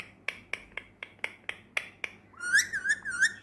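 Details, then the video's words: Indoors, a pet male Indian ringneck utters eight sharp clicking notes, evenly spaced about four per second, then slides into a wavering whistled phrase, with faint room hum beneath. "بولنے والا طوطا"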